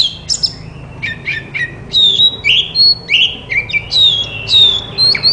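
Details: Kacer (Oriental magpie-robin) song for making a silent bird answer: a series of clear, loud whistled phrases, some sliding down and others rising, spaced about half a second apart.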